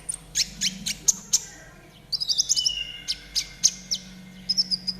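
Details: Trotol-style konin song for training caged birds to sing: sharp high chirps at an uneven fast pace, then a dense run of stuttering notes around the middle, followed by more spaced clicks and short whistles.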